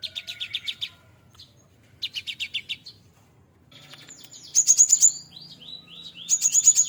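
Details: Hand-raised young cinereous tit, now maturing, in full-fill song: two runs of rapid, evenly spaced high notes, then very high, thin trilled phrases mixed with downslurred whistles.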